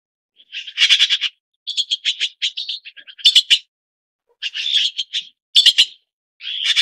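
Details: Red-billed blue magpie (Urocissa erythroryncha), call.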